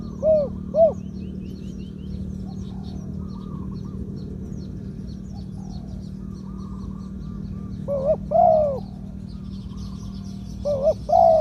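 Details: Spotted dove meant for a ground decoy singing 'two kuk, khu-ang' phrases in a medium voice: two coos at the start, a long quiet gap with faint background birds and hum, then arched coo pairs near the end.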